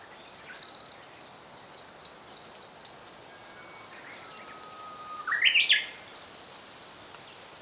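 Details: Japanese robin recorded in 2014 during bird watching. Thin, level whistled notes run into a loud, fast, rising rattle that tumbles over about half a second. Scattered high chirps and pulsed trills from other birds sound around it.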